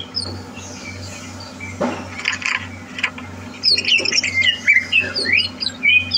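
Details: Greater green leafbird readied for singing contests. Faint, scattered notes and a brief noisy burst come first, then a lively stretch of bright whistled and twittering phrases in the second half, with a low hum throughout.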